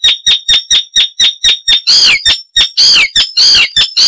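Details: Song of an Icterine warbler, noted for loud, varied phrases and mimicry. Evenly spaced sharp chips come about four per second, then give way to harsh, nasal squealing notes.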